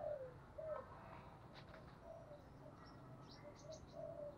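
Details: Decoy spotted dove calling to lure wild doves, recorded from a keeper's own decoy birds; soft, low cooing notes come in short separate phrases with gaps between them, while faint higher chirps of other small birds are heard in the background.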